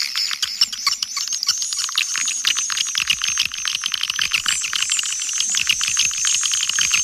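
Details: Swiftlet calling and roosting sounds used to attract swiftlets, from Kampar, Riau: dense rapid clicking chatter with high buzzy twittering, many pulses per second, continuous throughout.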